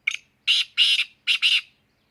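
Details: Black francolin giving its harsh call: a brief opening click, then a rough drawn-out pair of notes, a pause, and a second grating double note, all loud and buzzy in a quiet setting.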